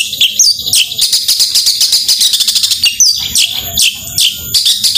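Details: Long-tailed shrike delivering 'gacor tembakan' singing, meant to rouse lazy shrikes: dense, high-pitched chattering strings broken by loud downslurred whistles and harsh bursts, varied and continuous.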